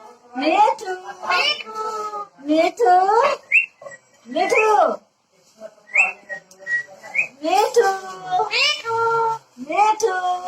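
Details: A talking parrot producing a run of speech-like phrases mixed with clear whistled tones and rising, bending notes, in short bursts separated by brief pauses.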